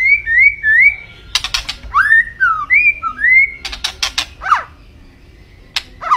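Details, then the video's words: White-rumped shama (murai batu) song: clear level and rising whistles, some slurred down, broken by bursts of harsh clicks, with a falling sweep near the end. "Kicau Burung Murai Batu Gacor"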